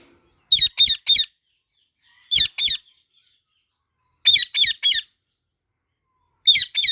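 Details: Pet parrots calling while eating mango: high, harsh squawks delivered in quick clusters of three, each cluster separated by about two seconds of silence.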